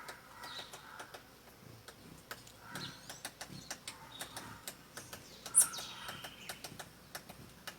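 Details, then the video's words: Woodpecker pecking wood: a run of dry, irregular taps, some close together and some spaced out, with brief thin chirps from other birds in the background. "WOODPECKER PECKING WOOD"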